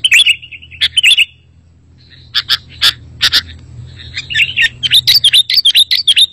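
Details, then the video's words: Sooty-headed bulbul master song, used to attract wild bulbuls and encourage a caged one to sing: warbled chirps, a quiet gap, scattered sharp notes, then a quickening run of bright, slurred twitters. "Suara Masteran Burung Kutilang Berkicau, Kutilang Auto Nyaut"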